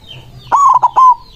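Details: Close single phrase from a loud-voiced white zebra dove calling rivals: a sharp start, a couple of clipped rolling beats, then a sustained, slightly falling note.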